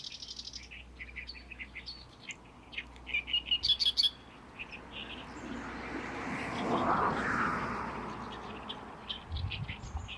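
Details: Great reed warbler singing loudly in May in a reed colony on the shores of Lake Biwa: harsh, chattering, croaky notes repeated rapidly for about four seconds, then drowned by a swelling rush of wind-like noise and low rumble.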